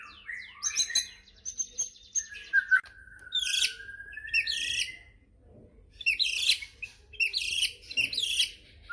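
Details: White-rumped shama song for provoking rival shamas: varied whistled phrases and a long, steady, slightly rising whistle, then scratchy, noisy bursts of chatter repeated in short clusters separated by pauses.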